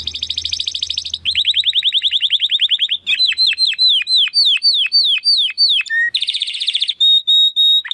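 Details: Male Timbrado Español Original canary, 2020 breeding, sings a varied training song: fast rattling trill, then a rolling trill of falling notes, slower swooping whistles, a buzzy burst and a held pure tone, with faint low hum early on.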